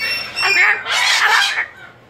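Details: Female pet cockatoo protesting being returned to her cage lets out two harsh, raspy screams, each under a second long, loud and grating with a short break between them.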